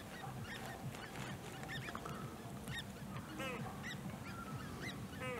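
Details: Great crested grebe accompanied by young, recorded 1 August 2018 at De Gouden Ham, Maasbommel: irregular high whistled peeps, roughly one every two seconds, with occasional harsher buzzy notes over constant low rumbling noise.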